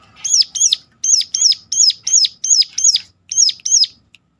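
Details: Piercing call of a Sunda warbler, known locally as ciblek gunung, meant to stir others into song: a steady string of about ten high, arched chirps, paired in places, over a clean, quiet background.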